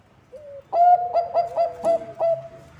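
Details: Zebra dove, Bangkok type, giving its lure song for other zebra doves: a faint short note, then six evenly spaced, resonant staccato coos with a long held tone beneath.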